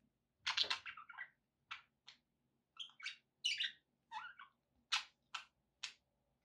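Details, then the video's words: Pet budgerigars chirping in a string of separate, bright, sharp notes, some scratchy and some whistled, coming in quick bursts about every half second with short gaps. "budgie sounds for pet parakeets"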